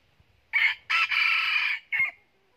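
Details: Golden-plumaged decoy red junglefowl crowing once: brief rasping first syllable, pause, a drawn-out harsh level note lasting nearly a second, ending in a short sharp tail note.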